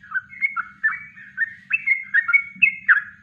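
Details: Natural kongslet song of a yellow-vented bulbul for training birds: rapid chattering, whistled notes running together with brief slurred rises, steady and loud throughout.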